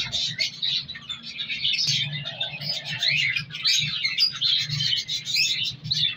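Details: Color lovebirds in a breeding colony produce overlapping high chirps and twitters throughout, with a low background hum and a faint steady tone midway.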